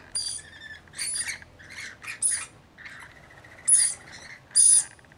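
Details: Rainbow lorikeets, a flock of about 40 looking after a single baby: harsh, broadband screeches in short bursts, some with a thin high whistle on top, spaced irregularly with pauses between calls.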